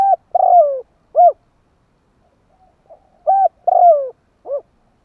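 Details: Spotted dove cooing, meant to prompt kept doves to sing fast: two matching phrases about three seconds apart, each with a short coo, a longer falling coo and a clipped final note, all low and mellow.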